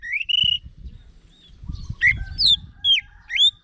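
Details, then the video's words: Orange-headed thrush singing sparse, drawn-out whistles, some rising and some falling, separated by pauses, over a low rumbling background. "Guru Vokal ANIS MERAH Agar Selalu Ikut Nyaut Ngeplong di Rumah"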